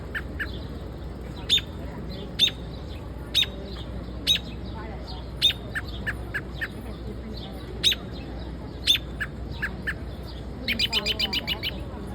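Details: A bird in Central Park giving sharp, high chirps about once a second, each with a softer lower note nearby, ending in a fast run of repeated chirps, over steady city background noise.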